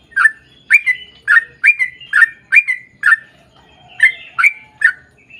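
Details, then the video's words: Sooty-headed bulbul singing a long, rapid lure song meant to prompt other bulbuls to answer: short, bright, chirpy notes that bend up and down, in quick bursts of two or three, with a brief pause midway. "KICAU SUARA trucukan gacor ROPEL PANJANG pancingan trucukan agar bunyi"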